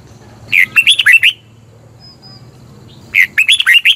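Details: Thai red-whiskered bulbul song, for luring or exciting caged birds: two short phrases of rapid, cheerful whistled notes roughly three seconds apart, with a soft low rumble in between.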